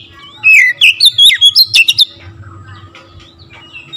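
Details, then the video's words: Energetic kacer (Oriental magpie-robin) singing to rouse rival birds: a rapid run of sweet, warbled whistles and upward slurs for about two seconds, then softer scattered notes over a faint hum. "TERAPI KACER LAIN LANGSUNG TERPANCING EMOSI GACOR DOR"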